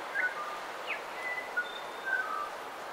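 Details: Coastal dawn chorus with bellbird song and calls, some close: scattered, pure bell-like whistled notes, some level and some briefly sliding, a few each second over a steady wash of background hiss.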